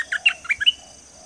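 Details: Dok taeng bird whose song is used for training birds: a short burst of five quick, high chirps, each sliding around in pitch, over a faint steady hum.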